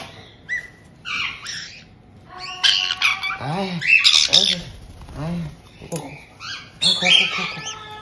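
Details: White-bellied caiques kept indoors in Tokachi, Hokkaido, Japan, in June 2023: a resident pair welcoming a newly arrived chick just over two months old. Harsh, shrill squawks and bursts of chatter come in clusters, with a human voice murmuring underneath.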